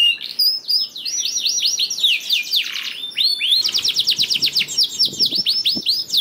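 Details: Canary song played to encourage lazy canaries to sing: looping high sweeping notes, a dipping slurred phrase, then a fast even trill with faint low knocks.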